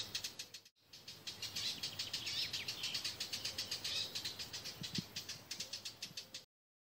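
Eurasian blackcap singing a fast, continuous stream of high, scratchy warbling notes, several each second, with faint rural background hiss.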